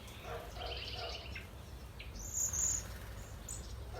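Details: A male Mourning Dove in a Southern California garden gives three low, soft, mournful coos to attract a mate. A flock of cedar waxwings eating pyracantha berries follows with thin, high whistles, over a steady hum.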